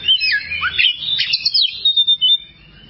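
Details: Oriental magpie-robin (kacer) training song for caged songbirds: quick jumbled whistles and slurred notes, then a few clipped chirps closing the phrase.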